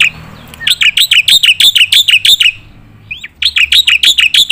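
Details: Black-winged myna in full voice for training competition birds: a steady series of loud, bright chirps with falling ends, around three per second, a brief pause, then another fast run.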